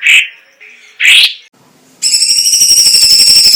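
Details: Chinese leafbird singing: two loud buzzy notes followed by a sustained rapid trill of high, ringing, metallic pulses.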